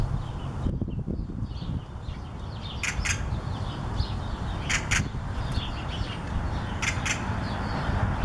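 Great-tailed grackle giving short, harsh clacks and rasping notes in irregular bursts, with faint chirps between, over a steady low rumble of wind or traffic.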